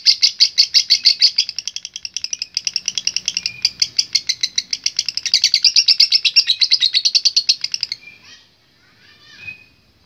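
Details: Long ngekek from a lovebird: a fast, rattling string of high chattering notes sustained for about eight seconds, then a few softer, scattered chirps as the bird winds down.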